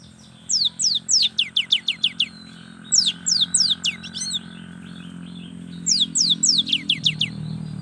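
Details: Young cinereous tit singing actively to draw out silent tits: three phrases of rapid, piercing, downward-sweeping notes, six to nine per phrase, repeated about every three seconds over a low background hum.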